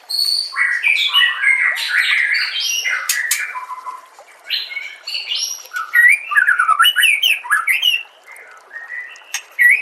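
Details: White-rumped shama song compiled as training audio: a long, continuous, varied stream of rapid whistles, chattering notes and sharp clicks, with a brief quieter pause before a second burst of fast, tumbling phrases.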